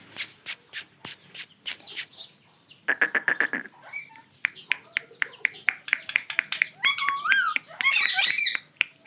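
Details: A pair of ringneck parakeets giving their natural sounds: rapid sharp clicks and short harsh chatter, several per second, then louder wavering squawks near the end.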